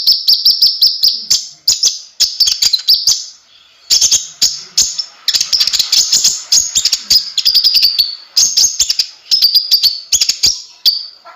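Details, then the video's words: Konin, or kolibri ninja, singing gacor: long, very high, thin trilled phrases run almost without pause, rising and falling slightly, laced with sharp ticking clicks throughout. "suara burung konin gacor"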